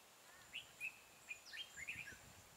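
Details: Red-whiskered bulbul singing a fighting song against a caged decoy during trapping, 12 April 2018: clear whistled notes spaced about half a second apart, then a quicker warbled run of slurred phrases near the end.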